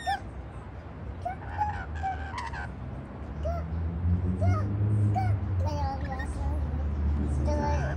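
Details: Several rainbow lorikeets eating white bread on a patio chatter with quick, clipped, nasal notes in uneven bursts, while a low rumble grows louder toward the end.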